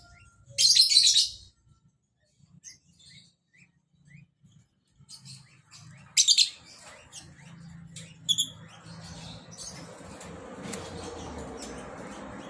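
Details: Lovebird giving loud, shrill chattering bursts near the start and around six and eight seconds, with softer chirps between and a rising hiss of background noise later.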